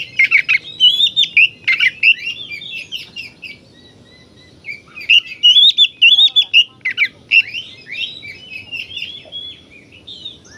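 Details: Oriental magpie-robin singing continuously, used to provoke other magpie-robins: bright whistled warbles mixed with rasping chattered notes in two long bursts, a brief pause between them, sung against a quiet background.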